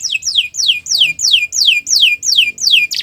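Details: Canary from a training recording of long, nonstop song: a regular series of nine bright whistled notes, each sweeping steeply downward, spaced about three per second.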